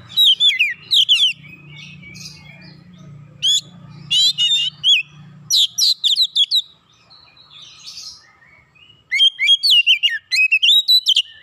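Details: Singing oriental magpie-robin, open-beaked and unloading its repertoire to stir other magpie-robins into song. Dense runs of fast, sweeping whistled notes, a quiet gap, then another vigorous burst; a low hum underlies the first half.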